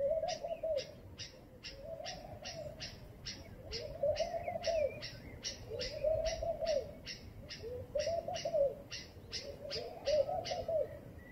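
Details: Laughing dove calling in the morning: low, soft bubbling coos in rounded phrases repeated about every two seconds, over a steady rhythmic high-pitched insect-like pulsing and faint chirps from other birds.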